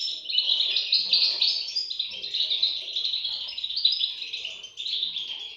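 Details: European goldfinch chicks giving a dense, continuous stream of high, thin chirps and squeaks that overlap into an unbroken chorus, with fluctuating loudness throughout.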